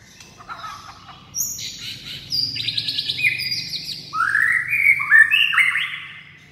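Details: White-rumped shama singing to provoke rivals: varied bright whistled phrases, rapid buzzy trills and flat sustained notes, ending in a run of upward-sliding whistles, over a low background hum.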